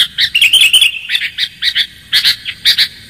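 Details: Sooty-headed bulbul lure sound with a clear voice: a short warbled run, then paired chirps, separated by short gaps, in a quiet setting.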